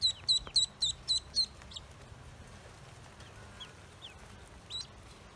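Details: Just-hatched Pekin ducklings on a farm utter six loud, sharp descending peeps in quick succession, followed by quiet background with a few faint scattered peeps and one final cheep.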